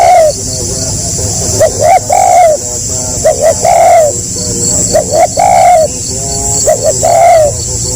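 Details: Spotted dove calling in the tekukur gagap style, repeating phrases of a couple of quick upswept stutter notes ending in a longer coo, about every two seconds, with persistent insect buzzing.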